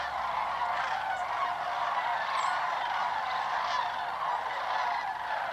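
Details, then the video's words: Sandhill cranes calling in flight during autumn migration southward across Georgia and Tennessee. Several swirling flocks fly low and close overhead at once. A steady, dense chorus of overlapping rolling, trumpeting calls continues without a break. "Sandhill Crane Migration song"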